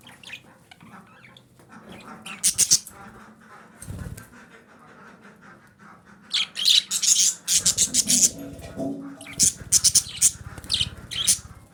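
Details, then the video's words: Female budgerigar calling, used to stimulate breeding; bursts of harsh, high chirps and squawks arrive irregularly, sparse at first then in a dense rapid run over the last five seconds, with faint low background hum. "DİŞİ Muhabbet Kuşu Sesi - Muhabbet Kuşu Kızıştırma"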